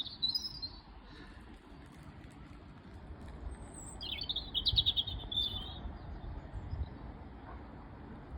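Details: A robin sings as if it were spring: two brief, high, warbling phrases a few seconds apart over a steady low rumble of wind or distant traffic.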